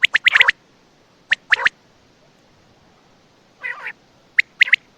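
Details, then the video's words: Quail (batair) at night near Attock: brief clusters of sharp high notes, a single rough nasal burst, then more clipped notes, with long quiet gaps. "بٹیر کی آواز راتBatair ke Awaz raat 2024(Quail Sound)"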